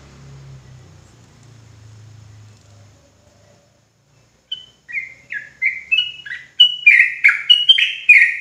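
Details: Javan sooty-headed bulbul in rapid 'ropel' style song, used as a lure to call rivals: after a low hum and brief silence, bubbly, liquid chirped phrases rise in loudness and tempo, running in quick repeated bursts to the end.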